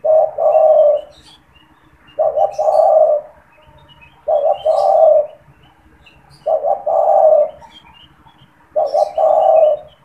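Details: Spotted dove kept caged and calling at every moment, used as a lure to make wild doves call and to trap them. Five evenly spaced phrases come about every two seconds: short double notes, then a deep burring coo.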